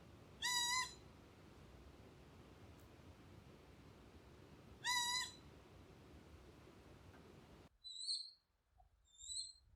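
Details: Ryukyu collared scops owl, two call types: two nasal, cat-like wails about four seconds apart, then several thin, high, slightly slurred whistles in a quieter passage.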